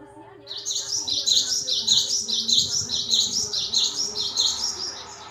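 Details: Java sparrow, locally called gelatik batu or gelatik wingko, in lively lure song: rapid repeated high chirping phrases, about one and a half per second, steady through most of the recording, with a faint low hum beneath.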